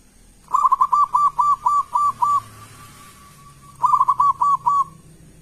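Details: Local zebra dove with a loud, big voice, singing as a lure to make other doves answer: a quick run of about eight arched, hollow cooing notes trailing into a drawn tone, then a shorter run of five.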